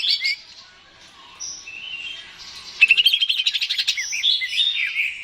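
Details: Greater green leafbird song for provoking a bird to sing: soft opening whistles, then a bright burst of quick repeated chirps followed by looping whistled notes.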